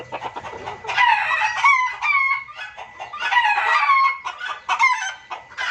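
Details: Noisy junglefowl lure sound for trapping birds: loud overlapping cackling calls with falling, slurred notes, delivered in dense back-to-back bursts with brief dips between them.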